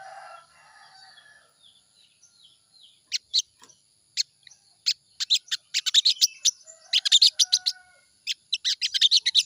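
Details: Morning lure song of the crimson sunbird, meant to prompt quick singing: faint soft notes at first, then isolated sharp high chips that grow closer together into a fast, shrill twittering burst near the end.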